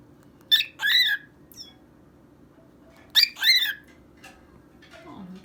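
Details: A male pet cockatiel sings to his mouse on a colourful stage, giving two short bursts of harsh, warbled, slurred notes a few seconds apart.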